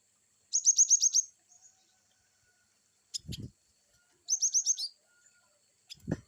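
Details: Cinereous tit (gelatik batu) delivering varied wucit chirps: two series of six quick, high, even notes about four seconds apart, with faint chips and low thudding knocks in the gaps.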